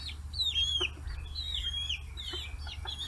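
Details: Chicks 40 days old, kept free-range in Kitahiroshima, Hiroshima, Japan, mobbing fish heads; long sliding peeps that fall in pitch, a few short chirps between, and a low background rumble.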